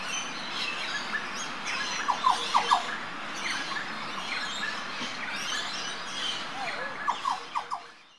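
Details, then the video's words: Green Oriole (Oriolus flavocinctus) near Port Douglas, Northern Queensland, Australia, 17 October 2013, calling in early morning: two bursts of three or four loud, liquid, mid-pitched notes against a busy chorus of other birds. "Green Oriole Call"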